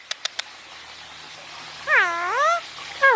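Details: Indian ringneck parakeet kept as a pet, basking and talking: three faint ticks, then a long wavering harmonic call that dips and rises, and a sudden loud note at the end.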